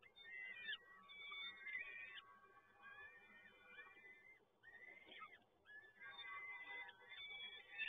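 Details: Peregrine falcon chicks in a nest at PGE Toruń, Poland, being fed on 30 April 2022: thin, wavering whistled and whining cries, overlapping and repeated, faint against a quiet background.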